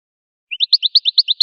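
American goldfinch song: a fast, bright twittering run of about ten high notes in one second, alternating slightly higher and lower, with a clean, quiet background.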